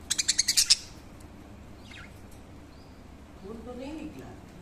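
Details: While grooming, a budgerigar gives a quick burst of harsh, buzzy chirps, about seven in under a second.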